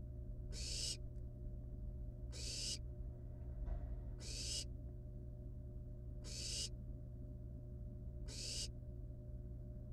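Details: Wild barn owl nestlings with a live rat at the nest utter five rasping hissing screeches about every two seconds, with a faint softer sound midway and a steady low hum.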